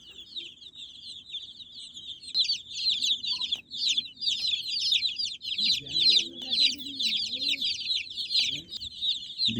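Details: Many baby chicks peeping shrilly, their high chirps repeated rapidly and unevenly in loud bursts, while a man's voice speaks in Telugu partway through.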